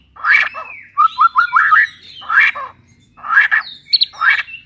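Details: Blorok-type white-rumped shama giving harsh, squawky, broadband bursts mixed with short whistled notes and quick trills, delivered in spaced loud phrases.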